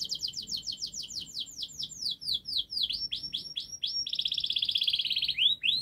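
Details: Canary giving fast, dense, long song as a model for young canaries to learn: a series of quick whistled downslurs about four per second, then a rapid buzzy trill and two rising sweeps.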